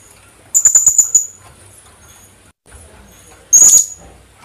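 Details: Philippine hanging parrot (kulasisi) delivering a rapid string of five thin, piercing high notes, then after a pause a single longer shrill call; faint rustling underneath.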